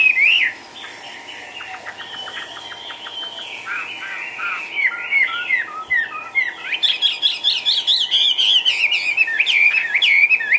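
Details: Chinese hwamei kept in a cage, hopping lively, sings a long varied phrase: a loud whistle, softer rapid clicking and chatter, then an intense stretch of fast, sharp whistled notes that climb and loop near the end.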